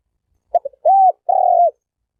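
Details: A single spotted dove phrase: a few quick clipped notes, then two drawn-out, low, hollow coos, the second slightly longer, in an otherwise silent background.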